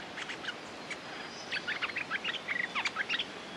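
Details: Fighting-ready territorial Streak-eared bulbul used as a lure: a few scattered notes, then a quick lively cluster of short bubbling chirps and brief whistles in the second half.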